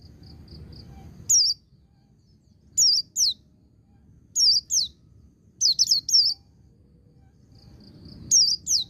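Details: Ngecir sambung ngalas song of a white-eye, played to stir untrained cage birds into singing: short bursts of two or three shrill descending whistles separated by pauses of a second or more, with soft high peeps between and a low hum.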